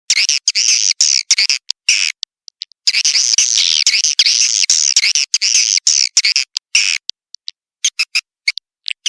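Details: Swiftlet calling sound of the Tombak Raja style, used to lure swiftlets: bursts of dense, high buzzy twittering chirps, each lasting a second or so, separated by short silent gaps and scattered clicks, with sparser chirps near the end.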